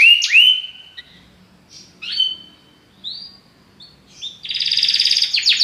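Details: Belgian canary with a very powerful song: separated whistled notes and sharp down-slurs broken by short pauses, then a dense, buzzy trill rolling through the last second.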